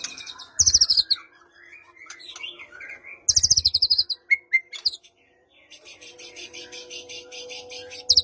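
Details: White-rumped shama song, played to prompt a silent shama into singing, suited to morning or afternoon: loud bursts of rapid high buzzy notes, a pair of clear short whistles, and softer chattering phrases between them.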